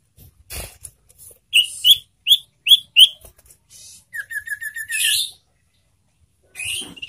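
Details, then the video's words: Loud song from a caged ashy tailorbird: a row of five sharp, evenly spaced chirps, then a quick series of short descending whistled notes, a harsh burst, and a final chirp after a pause. "Cara agar burung sirtu gacor suara lantang dan nyaring"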